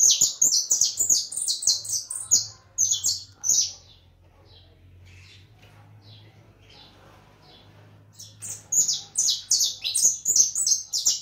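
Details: White leucistic European goldfinch singing: rapid runs of high, tinkling twittered notes, about two to three a second, broken by a quiet pause in the middle, with a low steady hum underneath.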